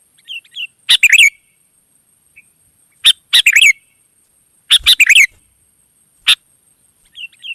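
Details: Wild sooty-headed bulbul calling back: irregular bubbly phrases of clustered notes, with single sharp chirps in between and faint soft notes at the start and end.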